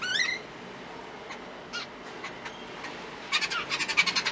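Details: Jungle babblers eating snacks alongside Indian mynas give a rising harsh note, scattered squeaky chips, then a fast run of about eight grating, chattering notes at the end.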